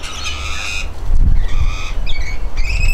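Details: Long, strained harmonic squawks from a rainbow lorikeet at its bath, a drawn-out cry followed by shorter broken notes, with splashing and low thumping sounds underneath.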